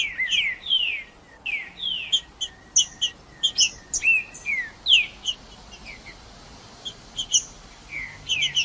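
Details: Green-winged saltator in the bush, played to warm up a cold bird: repeated downslurred whistles and rising swoops separated by crisp high chips, quieter toward the end.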